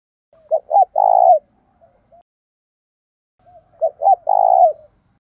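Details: Male and female spotted dove coos used as a decoy to draw in wild doves and spur them to fight: two phrases about three seconds apart, each with two quick short notes and a long vibrating coo.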